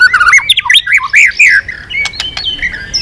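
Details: White-rumped shama, stimulated to sing intensely while flicking its tail, pouring out loud, varied, wavering whistles in quick succession. The whistles ease into softer high notes and a few sharp clicks.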